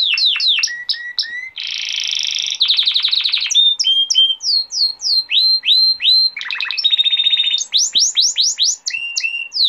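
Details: Long passage of male canary song for teaching young canaries, cycling through falling whistled sweeps, a buzzy roll, rapid chip series, a rattling section, a steady trill and high swooping notes, each tour repeated several times.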